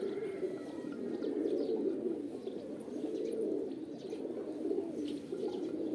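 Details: Many pigeons give throaty, rolling coos that overlap into a constant warm drone, with short louder swells and a faint whistle-like tone early on.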